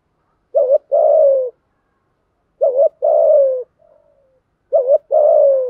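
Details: Male and female spotted doves give urging coos meant to draw other doves into cooing: three hollow two-part phrases, a brief quavering note followed by a drawn-out falling coo, plus one faint soft note between.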